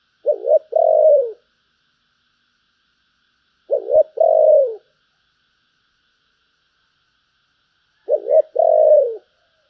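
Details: Spotted dove singing giọng thổ bầu style: three identical low, hollow coo phrases, each a quick double note then a longer falling coo, repeated about every four seconds against a quiet background.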